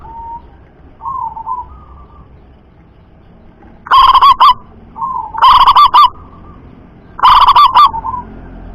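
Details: Local zebra dove with a loud, far-carrying voice: soft low coos, then three loud rolling coo phrases of quick stuttered notes, each followed by a fainter answering coo.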